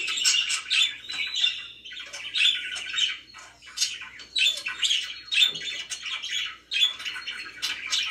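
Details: Pet budgerigars producing dense, raspy chatter and short piping whistles in rolling bursts of roughly a second, several birds calling at once.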